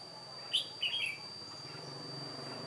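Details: Red-whiskered bulbul, an old decoy bird singing alone during trapping on 1 July 2018, gives one quick whistled phrase, a sharp note and then a warble, over a low hum and a steady high whine.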